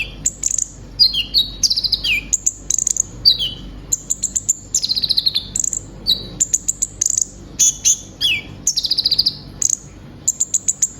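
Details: Energetic song of a caged brown-throated sunbird, known locally as konin, a pet bird said to imitate others. Piercing high chips, quick stuttering trills and downward-slurred whistles run in packed phrases almost without a break.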